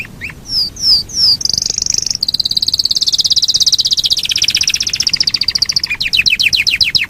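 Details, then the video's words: A Yorkshire canary sings a long roll: three swooping whistled notes, then a bright, continuous rapid trill that drifts downward over several seconds and closes with quick repeated downslurred notes. "SUARA BURUNG KENARI YOKSHIRE NGEROL PANJANG"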